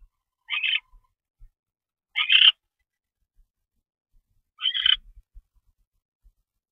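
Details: Barn owl on 25 February 2013 at 10:46 PM, during a mouse delivery. Three short, scratchy rasps sound about two seconds apart, softer than the other calls, with faint taps and rustles between them.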